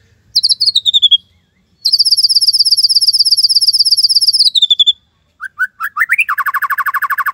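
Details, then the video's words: Singing white-rumped shama delivering the tembakan Cililin style: a long very high rapid trill held for about three seconds, then rising whistled notes leading into a fast steady mid-pitched trill. "Murai Gacor !! tembakan Cililin"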